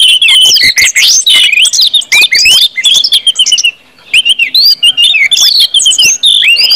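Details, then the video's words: Orange-headed thrush pouring out open 'ngeplong' song to stimulate other birds: a dense, fast medley of high whistles, slurs and chips with one short pause midway. "KUMPULAN ANIS MERAH NGEPLONG BIKIN CEPAT BUNYI DAN GACOR ANIS MERAH"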